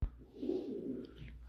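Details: Fancy pigeons of a Saudi Arabian breed kept as a hobby in Noakhali, giving a low, soft, throaty coo that swells briefly mid-clip, with a faint click at the start.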